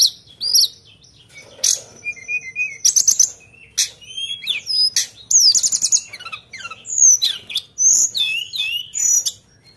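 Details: Sunda bush warbler singing energetically, a sharp-noted song: a busy run of high whistles, sweeping slurs and buzzy trills, with steep rising and falling notes packed closely over ten seconds and short gaps between phrases.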